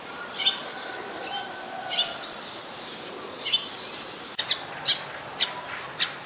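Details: Olive-backed sunbird (Cinnyris jugularis) at a home, 4:45 PM, February 7, 2020, gives thin, high chips and short sharp tweets, scattered irregularly, over a faint low hum.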